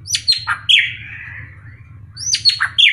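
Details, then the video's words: Wild-type drongo known locally as srigunting krantil, described as very vocal all day with highly varied calls used as a lure for other birds; a phrase of sharp descending whistles then a long buzzy slurred note, repeated after a pause, with a steady low hum beneath. "Pancingan Srigunting Krantil Gacor"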